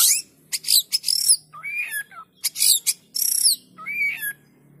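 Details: Lure song of a white-rumped shama meant to set idle shamas singing: very high buzzy rasping bursts alternating with lower clear whistled phrases that rise then fall, with short pauses between.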